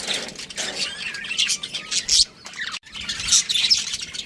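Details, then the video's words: Chirping from a budgerigar family with a breeding pair: busy high twittering and squeaky warbled notes in bursts, with a brief quiet gap partway through. "Cute Budgies Chirping Sounds"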